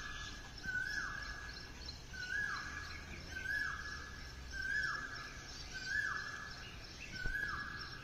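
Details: Morning call of an Asian koel: six evenly spaced whistled notes with a falling tail, one roughly every 1.2 seconds. Continuous environmental hiss and low rumble lie beneath.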